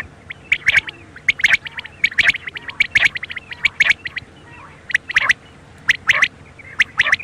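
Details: Quail call for use at night, a rapid series of short sharp chirping notes with a whistled tone, in uneven bursts through the clip, with a faint steady hum underneath.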